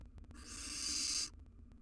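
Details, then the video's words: Hiss from wild barn owl owlets in a nest box, three chicks present: a single rough, breathy rasp near one second long that swells then cuts off sharply. "3 Baby Barn Owls in their Nest"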